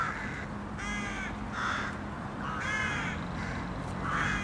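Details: Several city crows calling, rough nasal caws in bursts roughly every second, over a constant low traffic-like hum.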